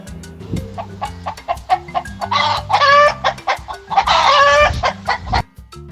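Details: Hen clucking: a run of short, clipped clucks with two louder, drawn-out cackling squawks in the middle, set over steady background music.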